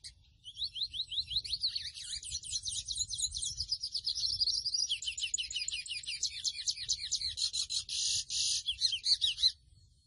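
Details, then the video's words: Chestnut-bellied seed finch song, offered for teaching a pet bird: a long, fast run of high twittering slurred notes, repeated several times a second for about nine seconds, with a denser buzzy patch near the end. "CANTO DE AVE MOCHUELO O PICO DE PLATA AZUL - CANTOS PARA ENSEÑAR A TU AVE MOCHUELO"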